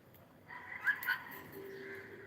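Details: Pet cockatiel singing, kept at home: a short whistled phrase with two bright rising notes near the middle, followed by a softer sustained tone, over quiet indoor background.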